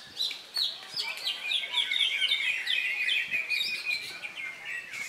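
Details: Competition greater green leafbird, freshly through its moult, singing at a bird contest: a fast, unbroken stream of bright, high chattering and slurred whistled notes; faint voices and other birds in the background.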